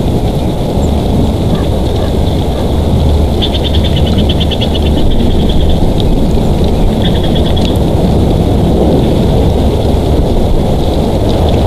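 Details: Bald eagle pair's nest in Big Bear Valley, live nest cam, 3 March 2023: brief bursts of quick, high, evenly spaced chippering notes, one mid-clip and another shorter run later, under constant heavy wind roar.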